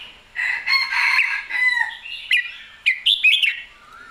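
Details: Red-whiskered bulbul with a drawn-out rich warbling phrase, then several quick chirpy whistled notes and a soft falling note at the end.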